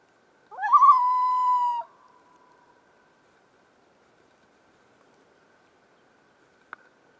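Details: A common loon in the Boundary Waters Canoe Area gives a single clear, mellow note that rises briefly then holds steady for about a second; quiet follows, broken by one sharp click.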